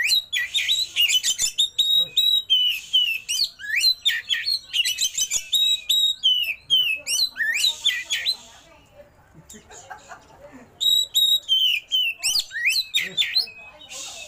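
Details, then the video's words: Oriental magpie-robin delivering a rich fill-in song: loud, varied phrases of piercing whistles, buzzy rattles and sharp clicks. A short, softer lull follows, then the bright, high whistling phrases return. "KACER ISIAN MEWAH❗KACER ROLL TEMBAK BUKA EKOR"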